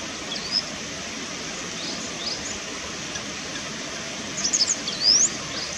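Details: Common moorhen chick that has finally returned, recorded 2 April 2017: a short cluster of thin, high, rising peeps near the end, after one faint earlier peep, over a steady broadband hiss.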